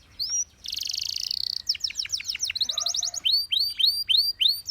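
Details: Song of a Gloster canary inciting fellow canaries to sing: an opening rising whistle, a dense buzzy rattle, quick choppy trills, then a series of evenly spaced upward-swept whistled notes.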